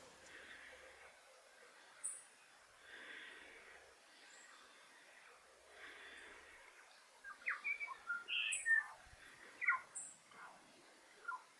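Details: New Zealand bellbird (korimako) feeding on insects in winter in the Maungakotukutuku Valley, Kapiti, New Zealand, giving clear, ringing bell-like notes and quick liquid phrases, mostly in the second half, over soft background chatter and noise.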